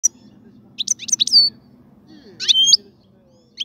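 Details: Caged European goldfinch singing while a breeding cage is prepared: short bursts of bright, twittering, high notes with a few sliding whistles, separated by pauses, over a faint low hum.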